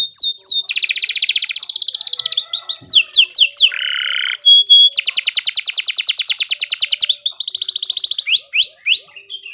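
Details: Canary singing a long, energetic song for tutoring other birds, mixing rapid high buzzy rolls, a lower harsh rattling burst, and crisp downslurred whistles, with trill sections switching pitch every second or two.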